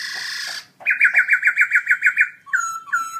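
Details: Black-throated laughingthrush singing very loud in a cage at a birdsong contest, October 2016; a rich harmonic note, then a rapid warbling trill of about nine pulses and two short upslurred whistles.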